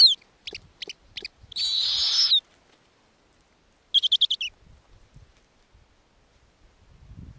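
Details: Snowy owl owlets on an Arctic nest at feeding time with lemmings. Short sharp notes lead into a long, rasping screech, followed by a quick stuttering burst of about six clipped notes, then faint rustling.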